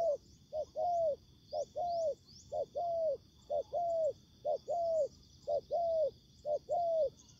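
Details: Spotted dove used as a ground decoy in trapping, facing fierce wild doves during the season. Low hooted coos, each a short note followed by a longer arched coo, repeated steadily about once a second over a constant high insect drone.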